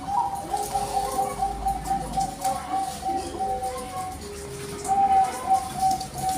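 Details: Male zebra dove of the Bangkok perkutut strain, singing to stir a female: sustained, rapidly pulsing coo trills at a steady pitch, pausing midway and then resuming, with a low hum and faint room noise behind.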